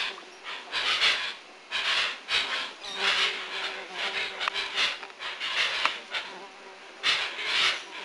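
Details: Hoatzins at Lago Sandoval in 1999 give hoarse, wheezy hissing calls, rasping bursts repeated about once a second, with several birds overlapping over a faint background hum.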